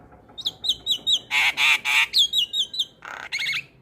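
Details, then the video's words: Lure song of a starling meant to prompt silent birds to sing: a string of clear repeated whistles interrupted by loud harsh grating squawks, then more whistles and a final rasp. "Pancingan Segala Jenis Burung Jalak - Jalak Malas Bunyi / Jalak Pikatan Auto Nyaut"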